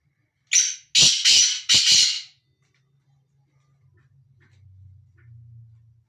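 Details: Loud rasping call of a free-roaming male black francolin: a quick clipped note, then three grating notes in close succession. After it comes silence with a faint low hum.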